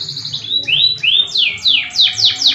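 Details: Domestic canary (kenari AF) singing vigorously in a long rolling style with shooting trills. Loud, bright downward-sweeping notes repeat about three times a second over a low, steady hum.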